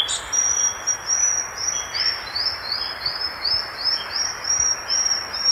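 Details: Violaceous euphonia, known in Brazil as gaturamo-verdadeiro, singing a long run of high, rapid repeated notes, about ten per second, forming a steady sharp chattering trill, over a hissing background.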